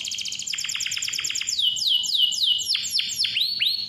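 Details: Canary singing continuously, clear voice, used as a lure to prompt young or lazy canaries to sing: rapid high repeated notes, then a series of sweeping downward slurred whistles repeated several times per second.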